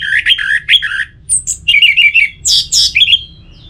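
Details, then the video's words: Orange-headed thrush kept in a cage, delivering a fast jumble of warbled whistles and harsh squeaky notes in quick succession, some high and buzzy, over a low hum. "Pemancing Burung ANIS MERAH Agar Selalu Gacor"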